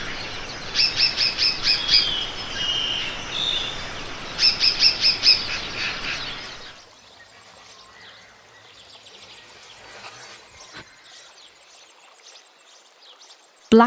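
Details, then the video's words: Oriole Warbler (Hypergerus atriceps) gives quick runs of bright, high notes in two bursts, with a lower whistle between them, then a quieter stretch of faint calls. "Oriole Warbler (Hypergerus atriceps)"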